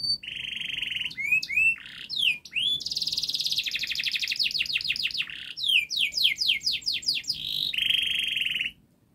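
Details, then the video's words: Prolific canary song, long and fast, played to encourage young canaries to sing: buzzy rolls, sharp swooping whistles, a rapid rattling run, looping notes and a closing buzzy trill. "Kenari Gacor Panjang Speed Rapat Untuk Pancingan kenari Paud Agar Cepat Gacor"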